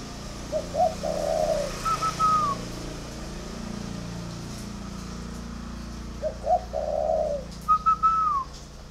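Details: Spotted dove, a kept bird in northern Vietnam, cooing: two phrases, each low hoarse coos followed by a higher sliding note, about six seconds apart, over steady low background hum.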